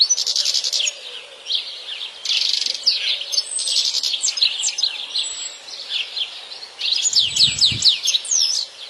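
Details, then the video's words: Wild European goldfinch in a natural setting delivering a dense, continuous high twitter: buzzy trills alternating with liquid, downslurred chirps and tinkling phrases, plus a brief low thump near the end. "تغريد اكثر من رائع لطائر الحسون في الطبيعة"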